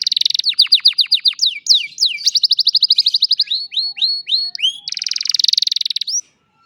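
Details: Old canary singing in the afternoon with long runs of rapid repeated chips, looping whistled notes, a series of rising sweeps and a dense buzzing trill before stopping abruptly.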